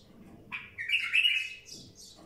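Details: Song of a wild bulbul: a brief rising note followed by a loud, buzzy, warbling phrase lasting almost a second, with quieter high chirps trailing after it over a faint background hum.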